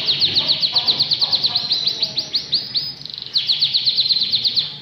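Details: Atlantic canary (kenari) singing energetically, repeating its song phrases: fast rolling series of high, bright, rising-falling notes about six per second, a short slower stretch near the middle, then another quick trill.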